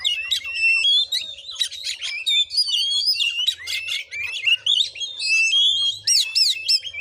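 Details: Oriental magpie-robin singing in fighting mode during a voice test, Muko Muko, Bengkulu: rapid, irregular stream of whistled slurs and buzzy notes, about three or four elements per second, with faint low rumbling beneath.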